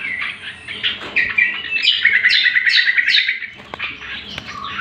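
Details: Greater green leafbird song used as a lure and master recording for training other birds: varied chirps and whistles, then a fast run of buzzy trilled notes, with sharp high slurs over it.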